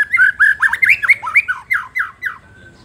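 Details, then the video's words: White-rumped shama in full song, provoking rival shamas: a loud, fast run of rich looping warbled notes, each swooping up and down, ending in a thin steady whistle. "murai batu gacor pancing emosi lawan"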